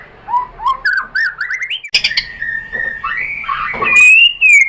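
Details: Shama lure song, white-rumped shama, meant to draw another shama into song: soft rising whistles climbing step by step, a click, then long drawn-out pure whistles ending loud and sliding down.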